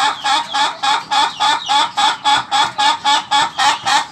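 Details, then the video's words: Ayam ketawa rooster delivering its laughing crow, roughly fifteen short, nasal 'ha'-like notes in a steady quick beat, each slightly rising, continuing without pause. "Ayam Ketawa Durasi"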